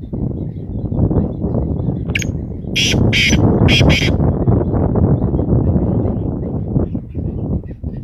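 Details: Black francolin, known locally as kala teetar, giving a short burst of four harsh, grating, broadband notes close together in the middle, over a steady low rumbling background noise.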